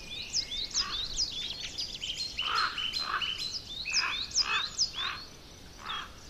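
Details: Juvenile common ravens calling in the Côtes d'Armor, France: rough, raspy squawks repeated about once a second, mixed with thin high twittering and whistled notes from small birds nearby.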